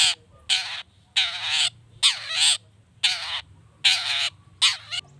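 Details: Long-tailed shrike in a lure recording used to provoke other shrikes into singing quickly: a steady run of loud, grating, broadband rasps, each about a third of a second long, repeated roughly every half second.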